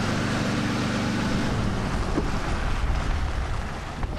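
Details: A steady engine drone with low harmonic hum and broadband wind rumble; no animal voices are heard.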